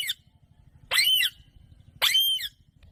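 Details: Green pet parrot giving two loud, shrill squawks about a second apart, each harsh and bright, after a brief opening note, with a faint low hum between them.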